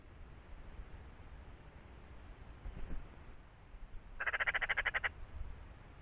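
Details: Eurasian magpie chattering: one short burst of rapid, grating pulses near the end, preceded by several seconds of steady low background noise.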